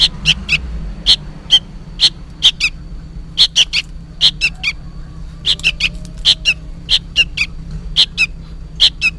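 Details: Noisy sooty-headed bulbul chick seemingly calling its parent: a busy, continuous run of sharp high chip notes, mostly in pairs, with faint low hum underneath.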